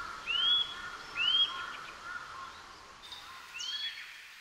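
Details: Japanese Eurasian nuthatch whistling three upward-curving notes, two close together and the last quieter after a gap, set against light background hiss.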